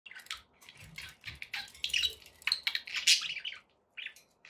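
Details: Pet budgerigars chatter in a flock, giving quick high chirps and scratchy warbles that overlap in bursts, with short pauses between them.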